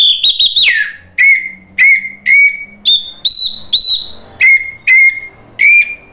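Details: Orange-headed thrush, used as a lure to provoke a bird that has stopped singing into answering in loud ngeplong style. An opening rapid cluster of high whistles is followed by about ten clear, short whistled notes at roughly half-second intervals, some high and level, others lower.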